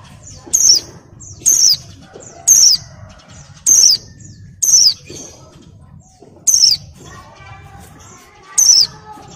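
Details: Oriental white-eye female in breeding condition calling males with sharp, high, descending whistled notes, each followed by a faint echoing note, repeated roughly once a second, seven times, over low background rumble.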